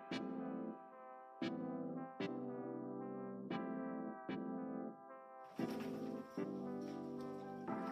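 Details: Brass-like instrumental music plays, with sustained horn tones and a few breaks, then a noisier passage near the end; no animal voices.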